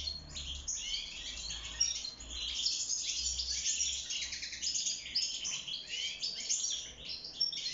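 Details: Caged wild goldfinch, or maqnin, singing during courtship and nest building; brisk tinkling chirps and rattling trills in a steady run, with a few louder sharp notes.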